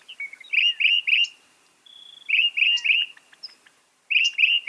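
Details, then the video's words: Singing northern mockingbird, known for copying 200 sounds, gives groups of three rich slurred notes, a level thin whistle between them, then the triple phrase again. "Masteran suara burung NORTHERN MOCKINGBIRE bisa merekam 200 suara"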